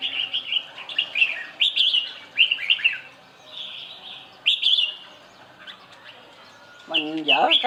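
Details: A red-whiskered bulbul sings a lively series of clear, bubbling whistled phrases, repeated in bursts with brief gaps. A human voice cuts in at the close.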